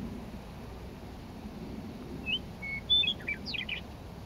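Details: Lethbridge coulee meadowlark, May 9, 2014, delivering a song of a few clear whistled notes that breaks into a quick, tumbling series of gurgled slurs, with soft background rumble.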